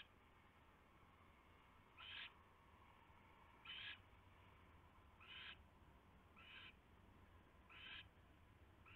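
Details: Owl on a nest tray in the early hours of February 3, 2016, staying until flying off at 3:40 AM; a series of five hoarse, hissed screeches at uneven intervals of one to two seconds, faint hum beneath.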